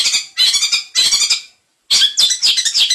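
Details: Long-tailed shrike in 'isian mantan' song style, delivering three short harsh chattering bursts, a silent gap, then a run of scratchy notes mixed with a thin whistled slur.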